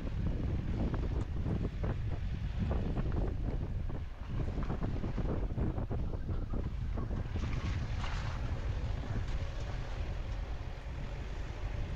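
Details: Strong wind buffeting the microphone throughout, with rushing noise and no animal calls.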